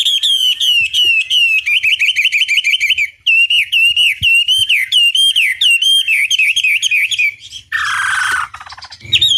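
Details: Chinese hwamei song used as a long lure recording to provoke a rival into answering: loud, rapid, varied whistled phrases, bending up and down and repeated in quick bursts, then a brief harsh rasping passage near the end.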